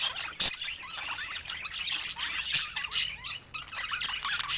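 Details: Several pet budgerigars keep up a steady, busy warble of twisting chirps and short whistles, broken by a couple of loud sharp clicks.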